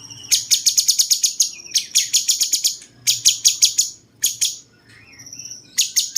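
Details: Bulbul named cucak cungkok, a cucak-jenggot-like singer used to train other birds, pours out clusters of fast, harsh, high chirps in uneven bursts, then a quiet pause with soft faint notes before resuming.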